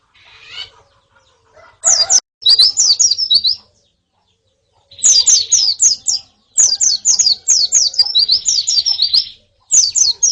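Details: Colony and female white-eyes, played as therapy to spur a male to sing: dense strings of shrill, falling chirps in long bursts, a few brief fluttery sounds at the start, pauses between bursts.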